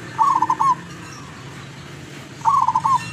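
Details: Zebra dove of lurah quality, a wild local lure bird from Tuban in East Java: a pair of trilling, stuttered coos, one at the start and one near the end, with quiet background between.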